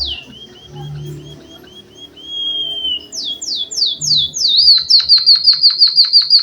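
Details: Java sparrow singing a song stuffed with canary imitations: a row of short, downslurred whistles and one drawn-out level whistle, then several steep falling sweeps, ending in a fast, rhythmic, high trill of about six notes a second.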